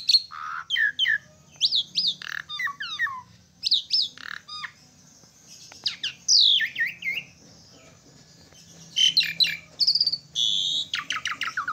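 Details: Asian pied starling in full song, a long energetic run of loud whistles, harsh squawks and buzzy notes in dense bursts, pausing briefly midway before resuming.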